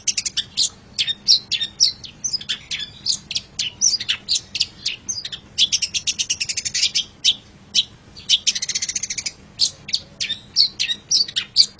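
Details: Long-tailed shrike master song recording: dense, fast stream of varied sharp chirps, buzzy notes and mimicry-like phrases, with a harsh rasping burst in the middle and constant soft low hum.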